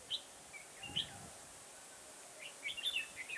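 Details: Red-whiskered bulbul singing as a trapping decoy in a garden on 9 October 2017: scattered single whistled notes early, then a quick burst of chattering warbled phrases near the end, against hiss.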